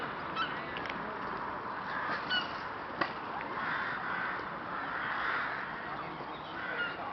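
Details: Rooks calling as a flock in Boscawen Park, Truro, 8 January 2021: rasping, drawn-out caws swelling in the middle, with a few sharp clicks and knocks and constant low background noise.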